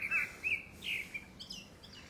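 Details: Courtship song of a grey-backed thrush, probably ahead of a second breeding: short fluted whistles on a steady pitch, then higher, thinner trailing notes fading out.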